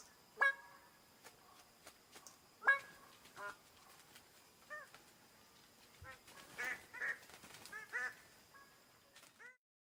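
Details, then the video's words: A bird of paradise gives loud, nasal, honking calls in short scattered bursts, some notes curving downward, over a steady high insect-like hum. "The sound of Birds of paradise (صدای مرغ بهشتی)"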